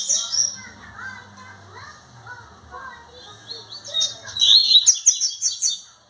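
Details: Two caged male double-collared seedeaters singing in a dispute at a breeding facility, 1 January 2025; high, twittering phrases at first, then a loud burst of rapid, buzzy, repeated notes near the end, with other birds chirping faintly below.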